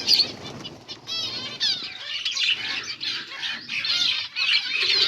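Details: Finches feeding on green food, August 17, 2024, chattering in a dense chorus: quick high chips and buzzy twitters from many birds, swelling and dipping, with soft scratching noises.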